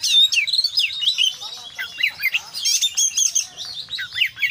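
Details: Oriental magpie-robin, locally kacer, singing continuously in the full isian style: sweet downslurred whistles and quick twittering runs, high and bright, with short rhythmic pulses throughout.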